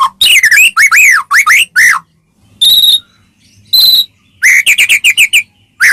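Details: White-rumped shama from Medan singing as a lure to stir other shamas into song; loud clear whistles, rising and falling slurred notes, a pair of sustained pure tones and bursts of quick chirps.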